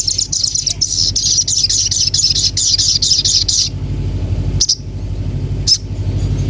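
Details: Common iora in a fast, high chattering series of clipped notes lasting nearly four seconds, followed by two brief isolated sharp notes, with a constant low hum beneath.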